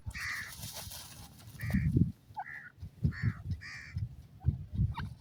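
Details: Iranian partridge female with her chicks: a series of short, harsh, buzzy notes spaced roughly every half second to second, over heavy low thumping and rumbling noise close to the recorder.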